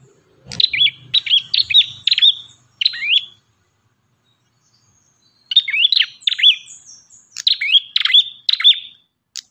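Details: Ashy tailorbird singing actively in a recording meant for tutoring songbirds: long runs of quick, rising, hooked chirps repeated several times per second, in two phrases split by a gap of about two seconds.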